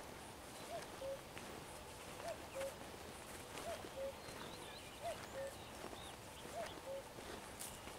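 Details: Steady series of five falling two-note cuckoo calls, evenly spaced roughly every one and a half seconds, from a common cuckoo recorded 11 June 2023, with faint common redstart song behind.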